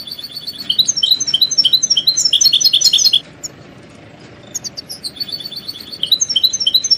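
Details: Several European goldfinches in a group 'betbeta' chorus of mating and readiness calls, meant to stir caged males into singing: dense, fast, high twittering trills for three seconds, a brief quiet pause, then the chattering resumes.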